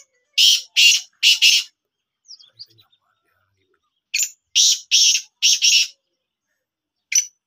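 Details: Black francolin kept as a pet, in training, gives two runs of grating, buzzy notes, three to four rasps each about a third of a second apart, separated by a pause of a couple of seconds; a single rasp follows.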